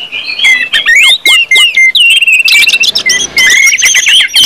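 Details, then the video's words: Ngeplong song of an Orange-headed thrush, meant to stimulate other birds: clear whistled slurs and deep downward swoops at first, then a rapid, crowded burst of high varied notes. "KUMPULAN ANIS MERAH NGEPLONG BIKIN CEPAT BUNYI DAN GACOR ANIS MERAH"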